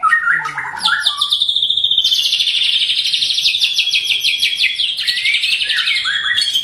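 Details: White-rumped shama singing a full 'tembakan' song with rough varied phrases: a few lower chattering notes, then loud high buzzy rapid trills running continuously with slight pitch shifts.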